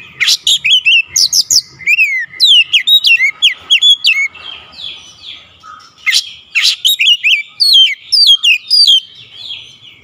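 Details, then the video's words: Insistent oriental magpie-robin pouring out its isian material: dense volleys of crisp, high whistled and chirping notes, many swooping downward, repeated in tight bursts with only brief pauses. "KACER NGOTOT BONGKAR ISIAN"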